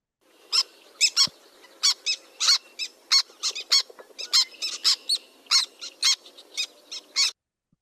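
Black Tern giving sharp, clipped, high 'kik' notes, some doubled, in an uneven series of one or two per second over a faint low hum.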